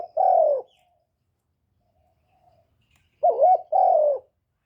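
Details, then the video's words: Caged decoy spotted dove calling to stimulate fellow kept doves; a long falling coo, a quiet gap, then a phrase of a wavering note and another drawn-out descending hoot. "Tiếng chim cu mồi GÁY GỌI + THÚC + GÙ kết hợp kích bổi, Cu gáy mồi cây gáy, cu đất gáy, cu cườm gáy"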